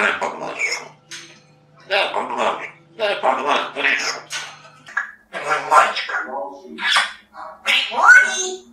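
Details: Talking African grey parrot from Russia in a Polish talking-bird championship, delivering a monologue: a run of clear, word-like phrases with pauses, ending in a sharp rising whistle, indoors.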